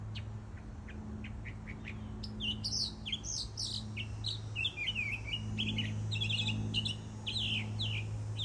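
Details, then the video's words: Bird singing: a busy run of short, bright chirps and twittering notes that tumble and rise over a steady low hum in the background. "Bird singing"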